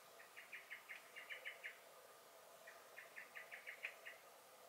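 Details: Common blackbird alarm calling in a garden, 23 May 2021: two bursts of rapid clucking chack notes, about eight in each, separated by a short pause, with quiet background noise.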